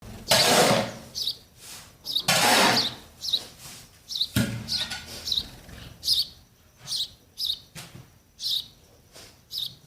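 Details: Baby sparrows waiting for their mother and father to feed them: short high chirps repeated irregularly, with loud broadband rustling bursts in the first seconds.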